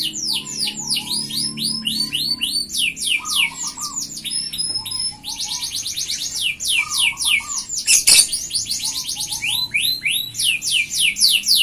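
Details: Vigorous F1 canary singing continuously: rapid repeated high swept notes in rolling tours, low buzzy warbled phrases recurring, a sharp click near the middle.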